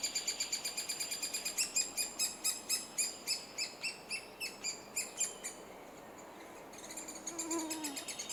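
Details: Three-toed woodpecker in Estonia during nesting, beside a nest hole cut in soft aging wood. Fast bursts of bright, ringing notes stop after five seconds, then resume softly; a lower descending whistle from another bird is heard near the end.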